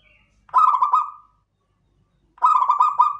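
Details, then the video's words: Klowongan-type local zebra dove delivering two loud cooing phrases separated by silence. Each phrase is a fast series of throaty, bubbling pulses at an even pitch. "PERKUTUT LOKAL KLOWONGAN"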